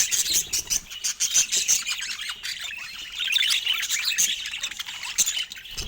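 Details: Several pet budgerigars keep up a steady stream of squeaky, scratchy chirps and piping notes, rhythmic bursts of bright high calls repeating through the sequence.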